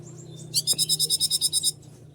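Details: Konin in breeding condition, excited at the sight of a teasing female, gives a fast, even trill of about twelve high, buzzy notes lasting just over a second, with a low steady hum underneath.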